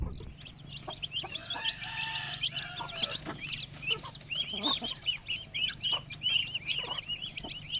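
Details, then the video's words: Chicken chicks giving a busy stream of high, thin peeps, many short rising and falling notes overlapping rapidly, with a few lower clucking sounds underneath. "chicky chicks chick"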